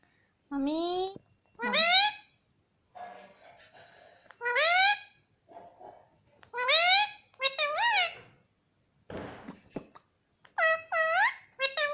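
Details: Talking pet parrot, said to repeat "papa": a series of loud, clear, voice-like phrases with swooping and wavering tones, each separated by short gaps, with a brief noisy rasp midway.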